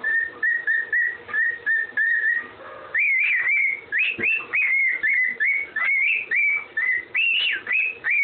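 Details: Pet parrot whistling a tune it learned, the Andy Griffin tune: clear whistled notes, first a steady run of short even whistles, then higher, sliding, warbling phrases repeated in a rhythmic series, with a person's voice nearby.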